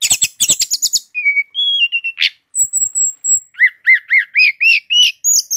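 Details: Brown-chested jungle flycatcher from Indonesia in continuous 'ngeroll' singing: buzzy opening trills, level whistles, a very high thin held note, then about eight rising, arched notes repeated in quick succession.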